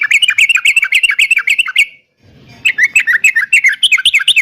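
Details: Energetic yellow-vented bulbul song for prompting caged birds to answer: fast bubbly chatter of clipped, sliding notes, a brief silence, then another rapid chattering burst.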